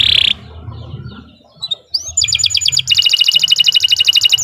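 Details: Canary song used as a master recording to train birds: a short buzzy burst, a near-silent gap with a faint chirp, then rapid rattling trills of evenly repeated high notes that grow louder, over a steady low hum.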